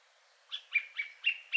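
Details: Third male Song Thrush, richer in character, with some sounds like a nightingale: one clear whistled note repeated about five times in quick succession, each with a brief upward flick.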